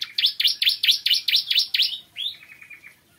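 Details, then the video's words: Bar-winged prinia singing in the morning: a fast run of about eight loud, buzzy, down-slurred notes, several each second, then a softer, quicker chattering trill that fades out at the end. "Kicauan Ciblek Kristal Dipagi Hari"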